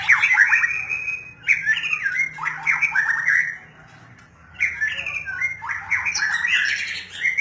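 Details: White-rumped shama pouring out loud, rapid whistled warbles with sharp downslurs in two bursts split by a brief quieter gap. A steady low hum sits in the background.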